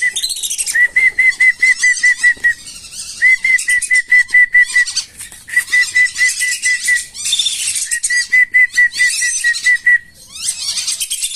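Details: Tame wandering whistling ducks allowed to roam freely, called for feeding before release into rice fields or swamps: bursts of high, thin whistles rapidly repeated in several runs, mixed with busy wing flapping and scuffling.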